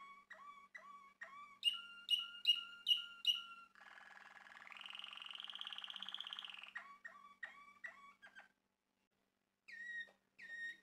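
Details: Male Malinois Waterslager canary alternates short whistled two-part notes, repeated in a quick series, with a long smooth rolling trill that rises and holds, then more whistled notes after a pause.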